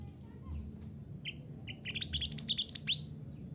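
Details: Mantenan gunung on a training recording for caged birds. A few isolated high chirps build into a fast, excited twitter of rising, squeaky notes that ends abruptly.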